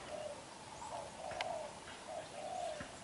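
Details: Vigorous cooing from a young black-eyed spotted dove caught from the wild: smooth, low hooting coos drawn out in a steady sequence, one loud click midway, faint hiss behind.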